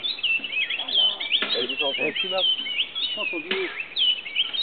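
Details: At Grand Popo, Benin, an Oriole Warbler (Hypergerus atriceps) gives loud, liquid whistles that slide up and down and overlap almost continuously, with a few lower, throatier notes underneath.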